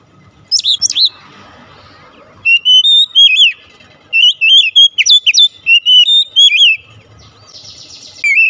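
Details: Oriental magpie-robin luring song, meant to make a kept bird respond: clear whistled phrases of rising and falling pure notes in bursts, with brief scratchy trills and quiet gaps.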